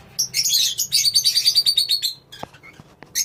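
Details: Lovebirds in a colony: a dense burst of shrill, high chirps repeated rapidly for about two seconds, then scattered clicks and a final short squeaky call.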